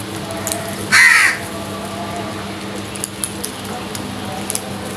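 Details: Crows fighting for food; a single loud harsh caw rings out near the start, followed by faint clicks and a steady low hum in the background.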